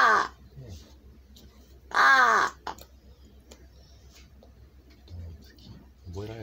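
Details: Large-billed crow being taught words such as a morning greeting gives one loud, hoarse caw amid a person's speech, with softer guttural sounds around it.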